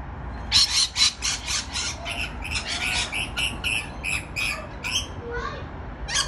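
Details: On a balcony, rainbow lorikeets screech in a rapid series of harsh, broadband squawks, roughly four to five per second, with a few thin rising squeaks near the end.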